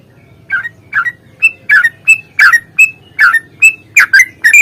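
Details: Yellow-vented bulbul, a long rapid song in a combative mood, used as a lure to draw out singing. A steady run of short whistled chirps, some swooping down and others held level, about two or three per second, with a faint low background hum.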